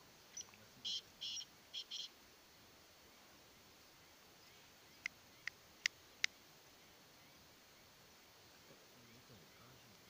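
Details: Calling black francolin of Sindhi Sheedi stock gives a grating phrase of about five high, scratchy notes in two seconds, followed after a pause by several sharp isolated clicks over quiet background hiss.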